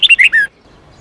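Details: Red-whiskered bulbul song used to train young birds to sing: a quick phrase of four clear whistled notes, slurring downward, lasting half a second before silence.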